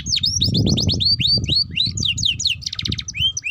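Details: Ngeriwik chatter of a young canary, a lure recording for young canaries learning to sing: a rapid series of repeated downward-slurred whistles, then buzzy trills and chirps, over low background rumble.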